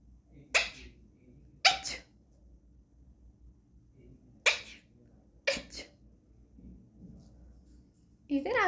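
An Alexandrine parakeet sneezes four times, in sharp breathy bursts set in two pairs about a second apart, then a brief voiced sound at the end.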